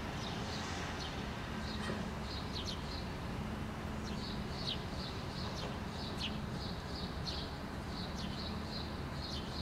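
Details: In Helsinki, Finland, June 2013, a house sparrow parent and two fledglings feed together on rock; brief high chirps repeat in quick runs, densest in the second half, with constant low-pitched rumbling underneath.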